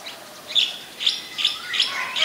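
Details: Oriental magpie-robin, a very common resident, at Ubon Ratchathani, Thailand, on 7 January 2021: bright short chirps repeated about every half second against a faint background hiss.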